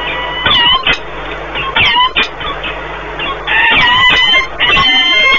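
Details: Peregrine falcons meeting at their nest in Płock, Poland, 1 March 2019, a long bonding encounter: harsh, wavering, creaking calls in bursts, some sharp rising notes, above constant background noise.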